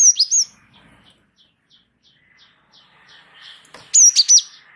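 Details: Java sparrow, wingko type, in rolling tutor song: an opening trio of high sharp chips, a stretch of faint rapid ticking notes, then another loud trio of ringing chips.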